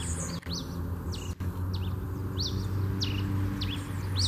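A red pileated finch repeats high, clear, slurred whistled notes about twice a second over a steady low rumble of background noise.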